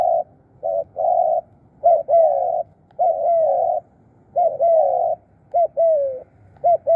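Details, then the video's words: Spotted dove used as a decoy to call wild birds in, giving low, steady hooting coos in short and longer units, some with a brief rising-falling lilt, repeated almost every second. "ตามนกเรียกคู รู้ครุน นกเก่ง"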